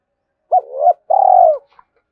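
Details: Spotted dove with a two-ending calling coo, used to stir wild doves. One phrase: a sharp hooked note, a swelling middle coo, a short pause, then a long mellow coo easing downward, followed by a soft click.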